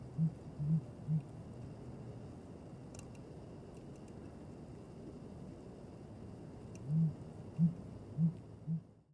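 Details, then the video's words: Sooty grouse gives deep, soft hoots: three quick ones, a pause of several seconds, then four more at roughly half-second spacing, over a steady low rumble. "Sooty grouse calling"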